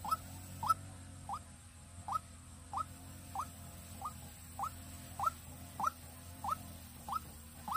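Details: Decoy white-breasted waterhen from Vĩnh Long, Vietnam, giving a steady series of short upward-swept notes, about twelve in under eight seconds, over a constant low hum.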